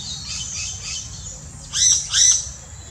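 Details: Yellow-rumped cacique in the Brazilian Amazon: soft jumbled chatter, then two loud harsh ringing notes close together.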